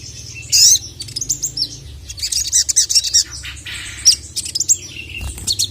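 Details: A Little Spiderhunter (sogon) calls agitatedly for a male on a training track. Irregular groups of high chirps and short twitters follow a loud opening note, with uneven gaps between phrases.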